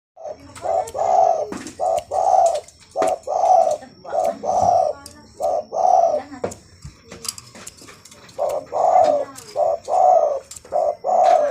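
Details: Zebra dove (perkutut) singing actively: rhythmic series of low, mellow rolling coos, each phrase a short note then a longer purring one, repeated steadily about once a second, with faint clicks and a thin steady background tone.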